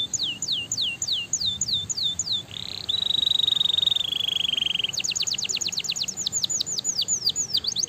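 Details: Stimulating canary song with a series of falling whistled notes, a level high-pitched rolling trill, then a rush of quick down-sweeping chips easing into slower slurred whistles.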